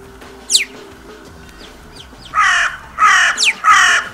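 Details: Crows recorded live at the Steinrevier feeding site on 6 January 2022: a thin high squeak and faint chatter, then three loud, harsh, rasping caws in quick succession with a short higher squeal between them.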